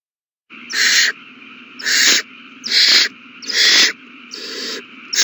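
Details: Begging owl chicks being fed, recorded March 27, 2020: after a moment of silence, five noisy hissing shrieks follow about once a second, each lasting around half a second, over a quiet hum.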